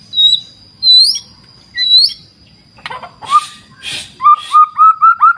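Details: White-rumped shama (murai batu): separate high rising whistles, two noisy rasping bursts, then a series of short, evenly spaced upslurred notes repeated about twice a second.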